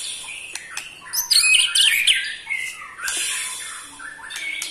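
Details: Eight-month-old white-rumped shama singing ketrekan to provoke other shamas: harsh, rasping high bursts and smeared chattering notes with a few clicks, partly muddied by background noise.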